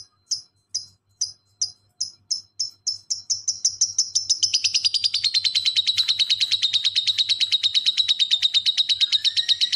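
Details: Lovebird in ngekek style, played as a master recording to train other birds: spaced sharp chirps quickly speeding into a long, dense, rapid buzzy trill, with a faint steady tone and low hum behind.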